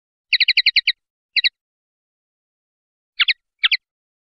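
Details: Swiftlet, used to train songbirds: a quick burst of seven sharp chirps, a short pair, then after a pause two separate pairs of lower, descending chip notes, all clean against silence.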